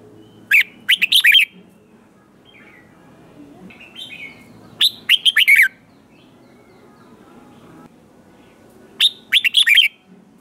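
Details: Red-whiskered bulbul singing competition-style to stimulate young wild-caught birds: three spaced phrases of quick bright chirps ending in a downward slurred whistle, roughly four seconds apart, with low background hum.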